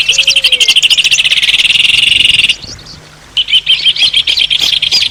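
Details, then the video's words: Countryside birds singing amid a rural soundscape with a rooster and crickets: a steady rapid pulsing trill for over two seconds, a brief pause, then bursts of high chirping notes. "Gallo y Pájaros Cantando"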